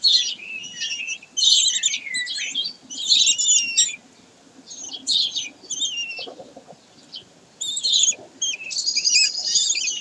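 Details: Common kestrels at Sägeweg, 22 May 2023: repeated clusters of shrill, chattering high calls in bursts of one to two seconds, with a brief quiet spell midway before the calling resumes.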